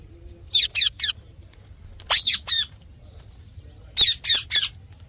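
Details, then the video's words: Parrot giving harsh, buzzy squawks in three short bursts, then two, then three again, with quiet gaps between. "Parrot Chirping Sounds"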